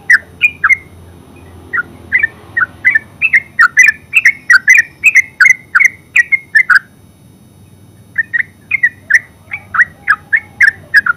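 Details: Terucuk, the yellow-vented bulbul, delivering ngeropel song: a long run of quick bubbly, slightly metallic chirps, then a brief pause and another lively sequence of paired notes.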